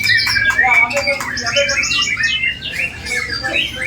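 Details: A white-rumped shama in a bowing pose delivers a sharp, piercing song packed with mimicked phrases: rapid high whistles, short buzzy notes and quick chatters tumbling over one another.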